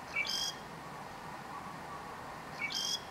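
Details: Southern grey shrike singing in northern Lanzarote in October 2018: a short two-part phrase, a thin clear note followed by a harsh, buzzy burst, heard twice about two and a half seconds apart over a steady low background hiss.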